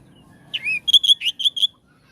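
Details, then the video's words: Oriental magpie-robin song meant to make other magpie-robins respond, a short bright phrase: a rising slurred whistle followed by five rapid sharp, harmonic-rich notes, clean and loud with little background. "Kacer jenis apapun jika dengar suara ini langsung RESPON"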